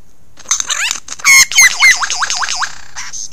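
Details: Early morning song of a male lyrebird, 15 July 2018, Ben Ricketts Environmental Preserve, recorded by a motion-sensing wildlife camera: a rapid series of swooping, wavering whistles that bounce up and down, with a brief harsh burst in the middle.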